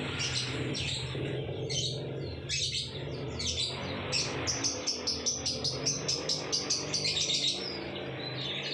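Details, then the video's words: Lovebird sounding in ngekek style, the local name for its long chattering song: scattered shrill chirps give way to a fast run of evenly spaced, rapid high notes over the final four seconds, against a low background hum. "Lovebird bikin ngekek"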